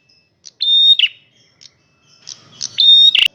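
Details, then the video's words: Loud song of a male red prinia: two high whistled notes, each closing with a buzzy, stuttering descent. Scattered soft chips and a sharp click are also heard. "suara burung prenjak merah jantan gacor volume keras"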